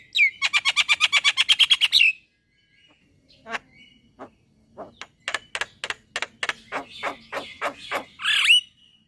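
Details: Male white-eyed Javan myna singing, a song said to set other mynas singing at once: a rapid buzzy pulsed burst for two seconds, a pause, then a quickening series of sharp clicks ending in a harsh rasp.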